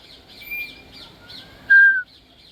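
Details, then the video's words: African grey parrot whistling, a clear, loud whistle that slides slightly downward and lasts about a third of a second, with soft chirps behind it. "African Grey Parrot whistling and making sweet sounds"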